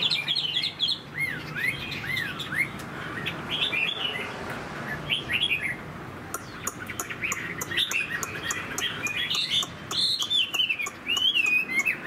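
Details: Large moulting Chinese hwamei singing in a cage: bouts of looping whistled notes that rise and fall, separated by short pauses, mixed with clicks and sharp high chips, over steady low background hum.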